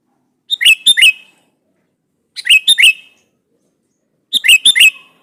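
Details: Sooty-headed bulbul calling out to a rival to make it answer: three evenly spaced bursts of three or four clear, bouncing chirps, roughly two seconds apart.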